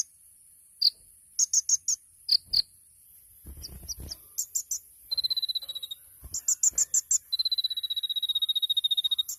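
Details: Sunbird song in konin tembakan masteran style, Indonesian 'kolibri ninja': scattered sharp high chips and short bursts, then long fast high trills, with a brief low rustle midway.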